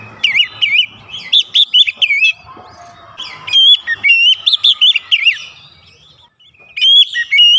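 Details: Varied song of an Oriental magpie-robin, meant to rouse birds into singing: two bursts of rapid, high, wavering whistles and chirps, separated by a pause with faint lower notes, then a final rising whistle.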